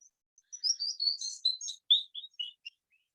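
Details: A Canyon Wren in Snow Canyon sings its common song, echoing through the canyons: a bright cascade of clear whistled notes, tumbling steadily downward in pitch over about three seconds and ending in a few lower notes.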